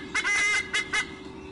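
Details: A white-bellied sea eagle at its nest during a nest exchange with its mate, 7/1/2015, gives four quick, nasal, goose-like honks in about a second, the first and third drawn out, over a steady low background hum.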